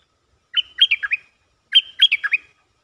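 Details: Clear, close song of a caged stripe-throated bulbul used for luring: two matching phrases of about five quick liquid notes, the second answering the first after a second's gap, otherwise silent.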